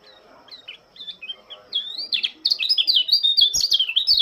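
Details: Lombok white-eye singing at dawn, welcoming the morning dew: soft scattered notes build into a loud, fast, continuous warble of high, twisting, chattering phrases.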